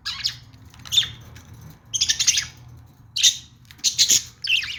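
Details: Budgerigars kept as pets give loud bursts of harsh, buzzy squawking chirps in a few clusters, with a low hum between them.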